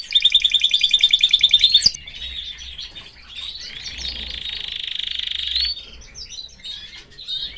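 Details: Canary in a cage with its family, opening with a loud, rapidly repeated rattling roll, then a softer, sustained buzzy trill and scattered quick twittering notes.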